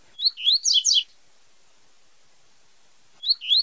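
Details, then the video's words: A double-collared seedeater (coleiro) sings its tui-tui song, a quick, high phrase of buzzy, tumbling notes lasting about a second, then starts again after a pause. "CANTO DO COLEIRO TUI TUI ZEL ZEL"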